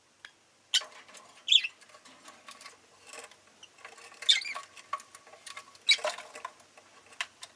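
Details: Pet rosy-faced lovebird (Agapornis roseicollis) giving a few sharp, high chirps spaced a second or two apart over soft rustling and clicking, with town noise such as vehicle engines possibly in the background.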